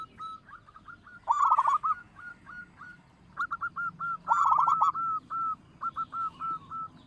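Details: Loud-voiced local zebra dove song, kept as a lure to prompt other birds to sing. Two rapid rattling bursts of cooing notes, each trailing into a string of short even coos about three to four per second.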